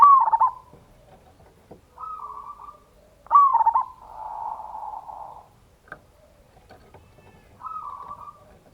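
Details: Zebra dove of local stock giving a strong lure song to make other doves respond, in the ngayer kerot nutut style: a clicking, bubbling coo opens, softer level whistles follow, and a louder coo repeats.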